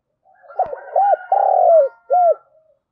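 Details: Decoy spotted dove calling wild birds in the morning. One complete cooing phrase: a hooted note, an arched coo, a long loud drawn-out coo and a final rounded note, with a faint higher coo behind it.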